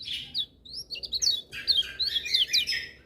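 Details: Lemon-bellied white-eye singing energetically, joined by other birds: a tumbling flow of high, clear twitters and slurred whistles, rising and dipping in quick succession.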